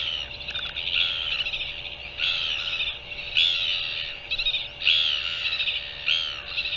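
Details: Northern royal albatross recorded on 24 January 2023: a run of harsh, buzzy calls in short bursts about once a second, over a steady background hiss and a constant low hum.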